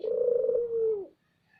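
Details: A single loud, deep Barbary dove coo from a lure recording. It is a steady, rolling tone that drops at the end and then stops.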